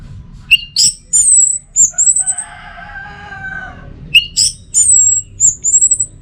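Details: Orange-headed thrush singing in teler style with sharp high whistles and slurred notes in short bursts. A softer, lower wavering tone runs briefly underneath between the phrases.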